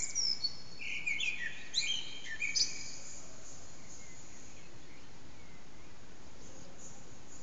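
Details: Common blackbird singing in an echoing backyard around 4:40 am, unseen, recorded on an HTC Desire phone; a mellow fluted phrase followed by higher twittering notes in the first three seconds, then only steady low background hiss.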